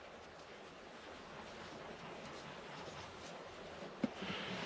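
Steady wind and broadband outdoor rumble with one sharp click near the end; no animal voice stands out.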